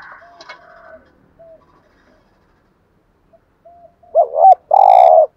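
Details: Spotted dove 'gù thúc' cooing played to stir decoy doves. After a stretch of faint murmurs and near silence, a loud bubbling double hoot and a sustained low, steady coo come at the close.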